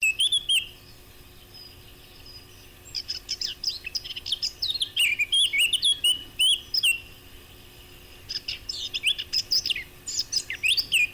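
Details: Eurasian blackcap song used as a hunting lure: rich, rapid warbled phrases of whistled and chattering notes, two bursts of song separated by a pause, mostly high-pitched, with a faint steady background hum.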